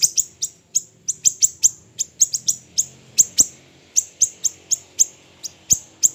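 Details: Small siri-siri bird, from a training recording for songbird keepers, repeating crisp, very high clicks, quick doubles and triples early on, then a steadier ticking about every half second. Low background hum.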